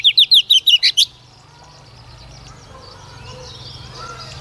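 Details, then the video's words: Female Oriental magpie-robin used to stimulate singing, delivering one second of six or seven evenly spaced, sharp whistled notes, then only soft background noise. "Chòe Than Mái mồi hót cực hay kích trống mở mỏ phần 2"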